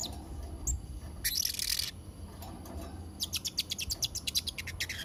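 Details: Blue-crowned hanging parrot (serindit trotol) recorded as a model for young birds: a faint high squeak, a short rasping hiss burst, then a fast run of tiny high ticking chips over a soft background rumble.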